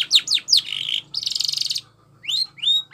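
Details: Canary training song: quick falling whistles run into a buzzy warble and a fast rattling trill, then a brief silence and two clear rising whistled notes, with a low hum underneath.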